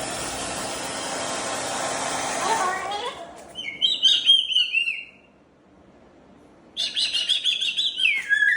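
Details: Sulphur-crested cockatoo kept as a pet, being blow-dried indoors, making high chirping whistles in two bursts after the hair dryer noise fades, with a short quiet gap between.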